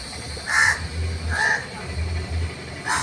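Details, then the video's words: Crow giving hoarse caws, three spaced across three seconds, against background noise and a low droning hum. A Bengali speaker comments that some people think crows bring news when someone is in trouble. "kak kak"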